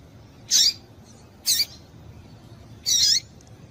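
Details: Female double-collared seedeater piping to rouse males before singing contests: three scratchy high chips, the last slightly longer, spaced about a second apart over low background rumble.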